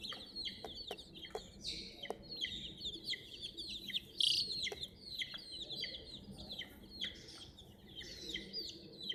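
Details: A group of hen's chicks peeping continuously near a toy crane; thin high falling chirps tumble over one another, with a few sharp clicks and taps from movement.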